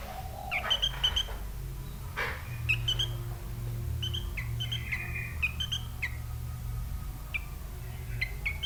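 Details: A tame pet sooty-headed bulbul kept and recorded naturally, singing clear whistled notes and short phrases, some rising and some falling, with a steady low hum and faint background noise.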